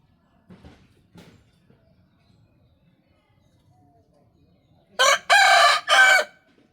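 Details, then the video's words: Rooster crowing: after a few faint low knocks and murmurs, one loud harmonic-rich crow bursts out near the end in three strong segments over about a second and a half, then silence. "Amazing Rooster Crowing Compilation Plus 2024 | Rooster sound effect | Este Gallo Canta Otro Nivel"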